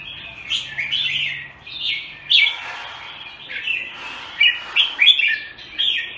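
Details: Red-whiskered bulbul (jambul), a bird fed on special bird food, singing a run of warbled, slurred phrases between about two and four kilohertz, loud notes spaced unevenly, with a faint low hum behind.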